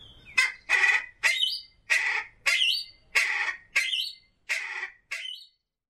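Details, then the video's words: Common pheasant giving a run of eight harsh, broadband squawking notes about two-thirds of a second apart, each with a short rising tail, in an otherwise quiet setting. "Фазан. Голоса птиц"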